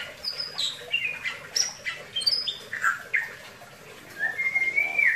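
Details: Singing Bali myna giving varied chirps and squeaky notes, some dropping in pitch, followed by a long, clear, slightly rising whistle at the close.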